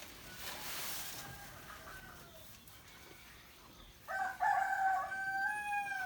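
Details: Roosters crowing back and forth in the morning: a faint distant crow in the first seconds, then a louder nearby crow starts at about four seconds, a steady held note cut off at the end.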